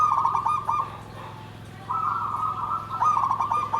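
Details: Zebra dove (perkutut) singing in the Javanese 'nggandem gedhe garing' style: a trilled, stuttering coo phrase, a pause, then a longer rolling coo lasting nearly two seconds, over a steady low hum.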